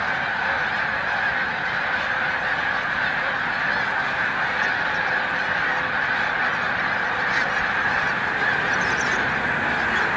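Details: Snow geese massed at Montezuma, New York, during early-March 2022 migration, taking flight: a somewhat softer, continuous chorus of many yelping honks blending into one broad, even roar.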